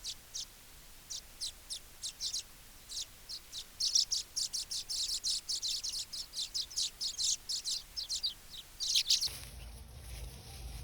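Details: Baya weaver chattering: a long run of high, quick chirps that speeds up and grows louder, then breaks off into a muffled noise.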